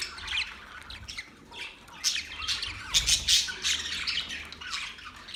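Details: Chattering Australian budgies give a rapid run of harsh squawks and chirps, rising to a loud, crowded burst of high squeaky notes in the second half, then easing back to softer warbling.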